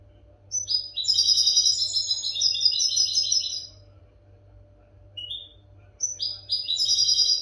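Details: European goldfinch song for educating caged goldfinches: a long, fast, tinkling twitter of about three seconds, a pause with one soft note, then a fresh twittering phrase starts, over a faint hum.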